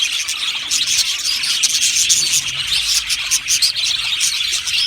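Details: Budgerigars of an Australian colony chirping and singing together, a steady high-pitched babble of overlapping trills and scratchy chatter throughout.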